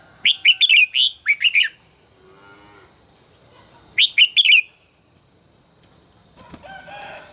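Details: Red-whiskered bulbul in voice training, giving two rapid runs of sharp, chirpy warbled notes, five or six notes each, separated by a quiet pause; a lower, buzzy, harmonic sound rises near the end.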